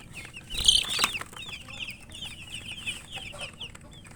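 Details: Chicken chicks chirping while eating, a loud clatter of pecking early on, then a steady run of clear, high, slurred peeps.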